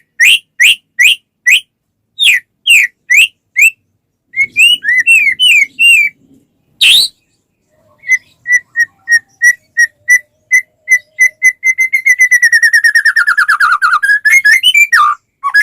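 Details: Song of a white-rumped shama used to trigger other shamas to sing: sharp repeated notes, a varied chattering phrase, then a long series of rapid even whistled pips accelerating into a fast trill.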